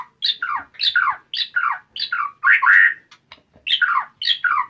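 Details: White-rumped shama starting its fighter song, repeating a harsh two-part falling phrase about every half second, one louder rasping burst midway, with a few dry clicks.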